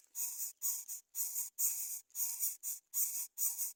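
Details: Young greater coucals that will not eat fish. Rough, breathy hisses come in paired or single bursts, roughly two per second, with small gaps of silence between them.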